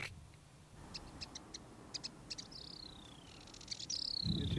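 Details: Spectacled Warbler at desert pools in Morocco where sandgrouse come to drink, a pair of scrub warblers also present, giving short, dry high ticks in quick irregular bursts and two thin whistles sliding downward; low wind rumble underneath.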